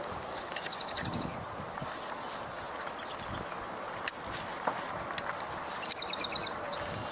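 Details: Marsh wrens, unseen, give short, high, rattling trills in several bursts a couple of seconds apart on a sunny, breezy day, faint over steady wind and distant traffic noise.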